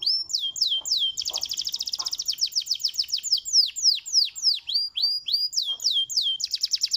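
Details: Song of a canary, used to get other canaries singing back: downslurred whistles, a dense rapid trill, then a long run of quick descending sweeps repeated several times per second.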